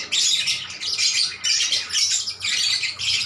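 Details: Harsh, shrill squawks from lovebirds calling in reply, delivered in four or five loud bursts of about half a second each with short gaps between.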